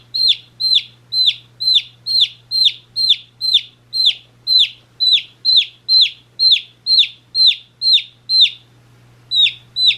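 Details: One-day-old baby chicks chirping: loud, regular high peeping notes with a falling pitch, repeated about twice a second, a short pause near the end, and a faint steady low hum beneath.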